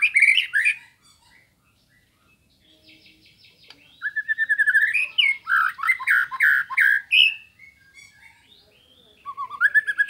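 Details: Murai batu sambo (white-rumped shama) singing hard as training and rival-provoking material: loud opening warbles, a quiet stretch of faint buzzy notes, then a long rapid series of repeated whistled and chattering phrases, ending with rising whistles.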